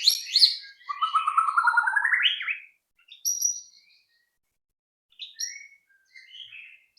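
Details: Lure song of a white-rumped shama, meant to prompt shamas to sing: bright high notes open into a rising, stepped whistled run. Scattered short high whistles follow after pauses.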